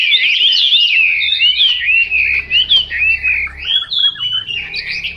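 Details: Chinese hwamei pouring out continuous, fast, high warbling song of looping slurred notes in quick succession, with a faint low hum in the background.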